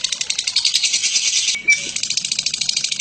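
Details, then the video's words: Lovebird, Batman variety, chattering in ngekek style for a training recording: rapid scratchy high pulses, a brief clear squeak midway, then the rattling chatter resumes. "Burung Lovebird BATMAN ngekek PANJANG"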